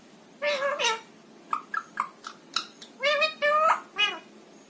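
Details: Ringneck parakeet pet talking, producing a string of human-like words: a two-syllable phrase, a run of short clicks and syllables, then longer drawn-out harmonic words at the end.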